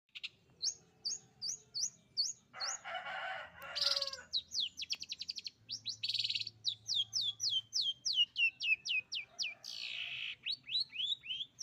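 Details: Long-tailed shrike singing while imitating a canary: fast high whistled upsweeps repeated in quick runs, broken by a harsh, scratchy burst, then rapid chirping trills and more looping whistles.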